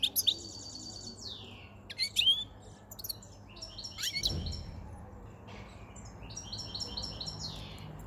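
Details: Caged European goldfinch, white-chinned male caught five months before, singing near spring at the start of breeding season; repeated nasal buzzy phrases and twitters, with a low thump partway through.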